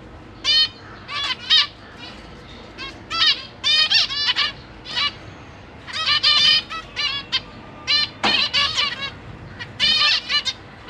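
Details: Zebra finch parents feeding a brood of juveniles and newborn babies in a cage; short nasal honking calls come in quick clusters, each burst finely stacked, separated by quiet gaps of about a second.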